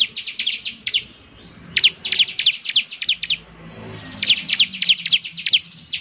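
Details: Bar-winged prinia in lively song, delivering quick strings of bright, high, falling chirps. A brief lull separates two phrases, and another phrase follows.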